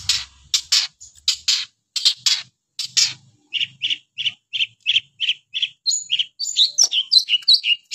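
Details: Energetic long-tailed shrike song opening with harsh, scratchy broadband bursts, then switching to a steady series of short mid-pitched chirps and ending in quick, varied warbling phrases of high twisting notes.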